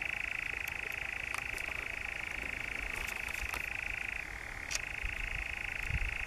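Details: European nightjar churring at night in the Brecks, Norfolk, July 2017: a steady unbroken mechanical trill that dips briefly in pitch near the end, with a few faint clicks in the background.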